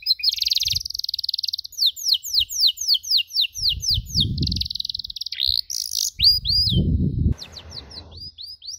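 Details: Canary making its cuit-cuit chirp in a recording for training other canaries: long fast trills of downward-slurred whistles, buzzy in places, broken by brief gaps, with intermittent low thumping noise underneath.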